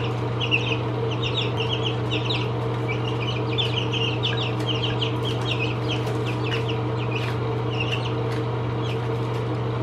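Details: Chicks seventeen days old peeping, many short high chirps in quick uneven bursts over a loud steady low hum.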